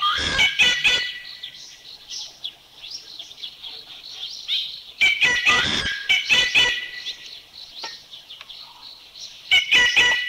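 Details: Calls of a Rufous Treepie from Thailand: clusters of loud, grating, clattering notes at the start, middle and end, with tinny tonal overtones. Between the clusters, softer chirps and whistles from other birds fill the background.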